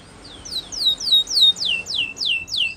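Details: Spanish Timbrado canary training song: a slow series of eight loud descending whistled notes, about three per second, over a hissy background.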